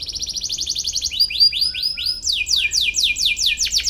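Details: Canary song aimed at a rival, played to train young canaries: rapid high pulsed notes switch to slower rising-and-falling whistled sweeps, repeated several times a second.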